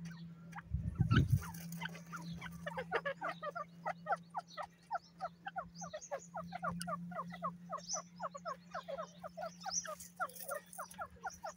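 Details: Grey francolin, called dakhni or gora teetar, kept as a pet bird; a long run of sharp, repeated call notes rising and falling in quick rhythmic succession, with a steady low hum and a thump near the start.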